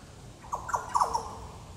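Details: Yellow Oriole at Goomboora Park, Cairns, Queensland, Australia, 9 September 2022: four quick liquid, slurred notes, each dropping in pitch, the last a little longer, over quiet background.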